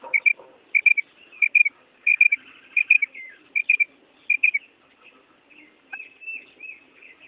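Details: Female quail giving its breeding-season call that draws males to call back: series of quick whistled note groups, mostly in threes, repeated about every 0.7 seconds, then softer trailing chirps and light background noise.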